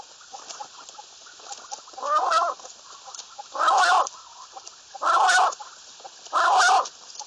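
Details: Common quail giving a steady series of four loud, buzzy calls, each about half a second long and repeated every second or so, against faint background ticking.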